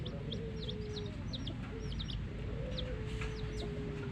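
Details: Baby chicks with a hen: a rapid run of high, thin, downward-slurred peeps, often in quick pairs, over steady low clucking from the hen and a constant background hum.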